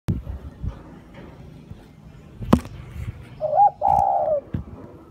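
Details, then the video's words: Spotted dove giving a coo near the end: a short rising note, then a longer, steady, slightly falling hooted note, after several seconds of low thumps and clicks. "tiếng chim cu gáy"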